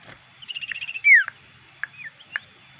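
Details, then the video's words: Common iora, a lively singer suited for use as a lure bird, gives a fast pulsed trill followed by a loud downslurred whistle, then scattered short notes and clicks. "burung cipew gacor.. cocok untuk pemikat"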